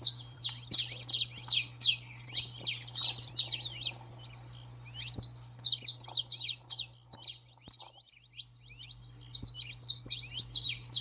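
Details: Canário-da-terra (saffron finch) 'baderna' song for exciting a pet finch: rapid volleys of high, piercing chips and short trills, about three per second, with a lull around the middle before renewed chattering; low hum throughout.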